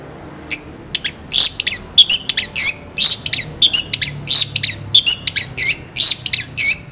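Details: Chattering long-tailed shrike in a song full of imitated phrases, sharp clear bursts: a dense run of short, high, squawky chirps and bright whistled notes, tumbling without pause, with a faint low background hum.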